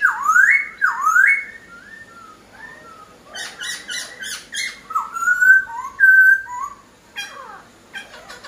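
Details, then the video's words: Black-throated laughingthrush singing eagerly, tied to aviary keeping: loud, clear whistled phrases that dip then rise, repeated twice, then a mix of shorter whistles, sharp chattering notes and a sustained level whistle, in a small indoor space. "POKSAI HONGKONG GACOR DOR"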